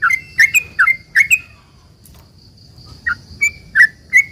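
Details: Sooty-headed bulbul singing to provoke other bulbuls to answer: a quick run of liquid whistled notes, a pause of over a second, then several more bubbly notes, with a thin constant high hum behind.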